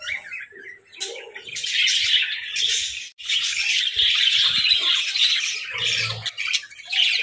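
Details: A group of pet budgerigars twitters and warbles, opening with scattered chirps and building into dense, continuous high chattering, with occasional soft knocks.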